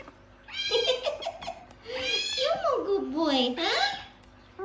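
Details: Mimicked speech from a gang-gang cockatoo: a continuous run of wavering, voice-like syllables that dip and rise in pitch, with a warbling quality through the middle of the phrase.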